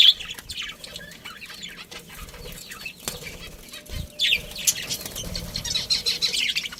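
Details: Colony of budgerigars with a breeding pair: soft twittering at first, then a dense, continuous stream of warbled and scratchy high chirps from several birds in the second half, with a few knocks.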